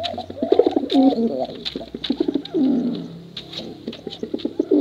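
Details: ['Overlapping coos from male and female contest pigeons, low and gurgling, rising and falling in uneven bursts amid frequent crisp clicking.']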